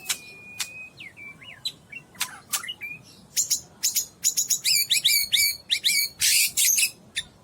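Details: White-rumped shama, a 12-month-old Medan bird described as a fighter, sings sharp clicks and short whistled notes that build into rapid rich phrases of varied slurred whistles and harsh bursts, at moderate distance over background hiss.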